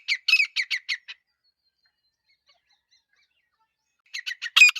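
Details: Female grey francolin (Irani teetar) calling: a short burst of five or six squawky notes, then about three seconds of silence, then another harsh burst ending in a louder, sharper note.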